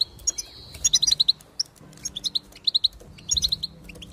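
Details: Goldfinch singing: quick series of bright, clipped chirps in short bursts of three to five notes, with brief pauses and a few thin, sweet whistles between phrases in an otherwise quiet background.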